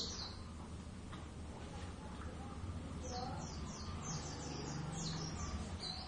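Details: Two Javan Oriental white-eyes, Zosterops palpebrosus javanus, in a first duet, practising the chattering ngeriwik song; thin high chirps and short descending notes come in a busy run from the middle onward, under low murmuring voices.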